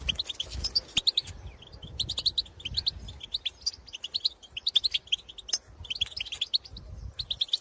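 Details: Wild European goldfinches in the field, pitorreos and calls directed at their own kind: bouncy, clipped twitters repeated in short phrases over a low, rumbling background noise.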